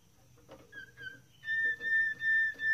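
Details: Moroccan Malinois canary giving short soft whistled notes, then a series of long, clear flute-like whistles at one steady pitch, separated by brief pauses.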